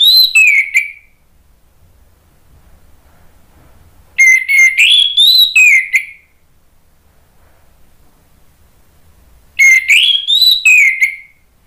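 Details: Orange-headed thrush (Anis Merah) song used as a lure to make other birds answer and sing; three rich whistled phrases of about two seconds each, rising and falling with quick slurred notes, separated by silent pauses of roughly three seconds.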